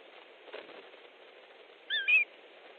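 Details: Osprey at its nest in Estonia, 3 August 2014, mid-afternoon, a fish brought in: a single slurred whistled call breaks through constant hissing background noise.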